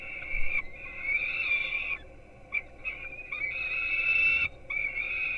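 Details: Nestling peregrine falcons on a live nest camera in Gdynia, Poland, at 4:21 am, being fed breakfast, give long, even, whining screams in sustained bouts with brief pauses between them.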